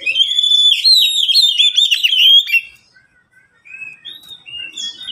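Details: Oriental magpie-robin in a cage among three captive birds exchanging songs: a dense burst of fast, scratchy chirping and whistles for over two seconds, then a pause and softer, thin whistled notes; suited to tutoring or luring wild birds.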